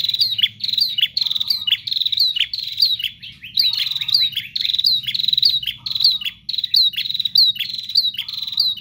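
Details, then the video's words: Bar-winged prinia pouring out continuous gacor song: crowded, rapid high chip notes with descending slurs, roughly a hundred per minute, punctuated every couple of seconds by a short low buzzing phrase, steady low background hum. "Prenjak GACOR Ngotot Full Durasi Tanpa Jeda"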